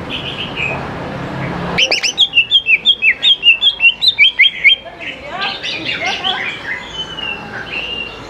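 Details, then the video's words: Greater green leafbird in full song, meant to spur young birds to join in; a steady rapid series of about fifteen bright, down-slurred whistles, then looser chattering phrases. "CUCAK IJO GCOR SANGAT AMPUH BUAT PANCINGAN CUCAK IJO MUDA BAHAN LANGSUNG NYAUT IKUT GACOR"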